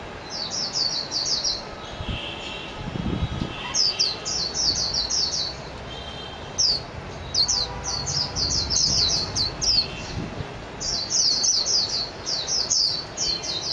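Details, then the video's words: Japanese white-eye, called mejiro, singing: rapid series of high thin twittering notes in bursts of about a second, repeated through the recording, over low background rumble. "تغريد طائر ابيض العين الياباني ميجيرو"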